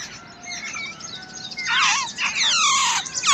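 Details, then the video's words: Babbler chicks in the wild, fed and protected by a parent, start with thin whistles, then break into loud, wavering, squealing begging cries. "Wild Babbler Bird Feeding And Protecting To Her Chicks"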